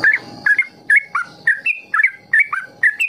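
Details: Ropel-style song of a trucukan, a bulbul, meant to prompt young birds to copy it; crisp whistled two-part notes repeated roughly twice a second, some upslurred, some falling.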